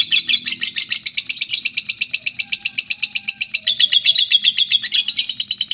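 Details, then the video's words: Lovebird of the mentil type in an extended ngekek, a loud, buzzy, shrill trill pulsing about six times per second, uneven in loudness, with a faint low hum in the room. "LOVE BIRD NGEKEK PANJANG 2 MENIT TANPA JEDA"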